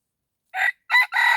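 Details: Red junglefowl cock used as a decoy to lure wild junglefowl, crowing loudly in three bursts: a short opening note, a pause, then two harsh, strained notes, the last one drawn out. Nothing else is heard.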